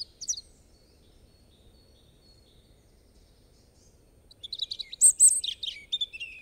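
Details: European robin with a brief tinkling note, then about four seconds of near quiet with a faint, thin, distant whistle, before a fresh burst of high, squeaky, jumbled warbling closes the passage.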